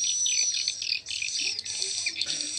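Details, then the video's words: Swiftlet roosting-lure sound ('suara inap') for swiftlet farming, meant to play in the roosting room and containing a call sound: dense, high-pitched twittering of rapid overlapping chirps and buzzy trills with no gaps, over a faint low hum. "SUARA INAP WALET"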